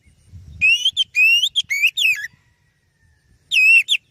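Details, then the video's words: Oriental magpie-robin singing, a recording meant as a lure for other birds: clear wavering whistles with bright harmonics, a run of four phrases gliding upward then a falling note, silence, then one more phrase. "Suara Burung Kacer Yang Sangat Indah,Cocok untuk Pancingan"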